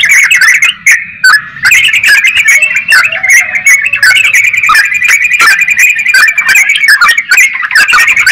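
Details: Energetic song of a yellow-vented bulbul (trucukan): long, dense stream of liquid bubbling notes and sharp ticks, barely pausing, with a faint low hum beneath.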